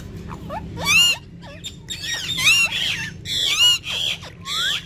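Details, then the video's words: Pet ringneck parrots said to talk in Urdu exchange loud harsh squawks and wavering, voice-like warbles in bursts about every second, with soft squeaks between. "Cute Urdu Speaking Ringneck Parrots || Ringneck Parrots Talking And Dancing With Each Other"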